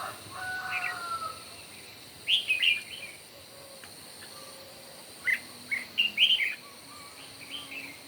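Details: Red-whiskered bulbul singing in a morning singing contest: two bursts of short, bright, warbled phrases, one near 2.3 seconds and one near 5.5 seconds, over a steady background hum with faint distant calls.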